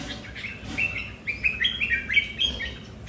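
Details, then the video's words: A red-whiskered bulbul among several kept at home competing over territory sings clear, ringing whistled notes in a quick, bouncing sequence that grows louder toward the end. "Những CB ở nhà so kè lãnh thổ, mỗi Cb mỗi nết khác nhau"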